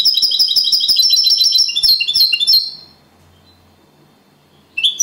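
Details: European goldfinch in copia Malaga song style, a second-placed champion singer, pouring out a rapid, tinkling high trill that breaks into varied twitters, falls silent, then gives one sharp closing note.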